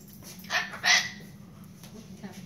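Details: Pet cockatoo talking indoors at night, asking to go to bed: two short, harsh, voiced bursts about half a second apart, each broad and bright with strong upper tones, after a woman says it is time for bed.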